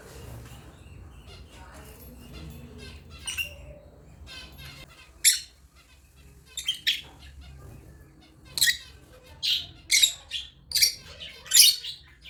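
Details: African lovebirds, quiet twittering at first, then loud sharp high chirps and squawks coming roughly every second in the latter half, with a low background hum.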